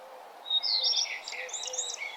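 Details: At sunrise on a nature trail, a bird sings quick, varied, high chirps and short whistled notes in a busy run lasting over a second, with a quiet steady hum beneath.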